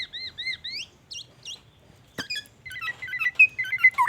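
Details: Black-naped oriole in full song, loaded with imitations of white-rumped shama phrases: paired clear whistles sliding down, then quick upswept notes, a sharp snap, and a rapid run of bright chirps and trills near the end.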